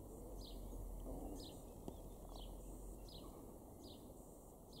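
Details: Male house sparrow in a garden in Weener, East Frisia, far northwestern Germany, April 2021: short, high, downward-sliding chirps repeated about every half second, eight in a row, over a steady low rumble of background noise.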